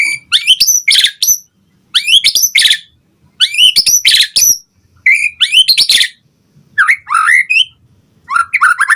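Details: White-rumped shama in full lure song used to provoke replies and to tutor other birds, delivering loud bursts of high, squeaky and chattering notes mixed with clear whistles, phrases about a second long with brief gaps.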